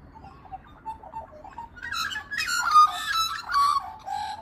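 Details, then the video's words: Australian magpie warbling: soft low fluting notes at first, then a louder, richer run of mellow, gurgling whistled phrases with wavering pitch and harsh overtones, rising to a full carolling passage before trailing off. "hear the magpie warble"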